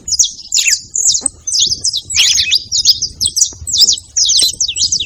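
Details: Saffron finches making noise in company, giving loud, separate high chirps and twittering clusters roughly every half second, with short gaps between and a low murmur behind.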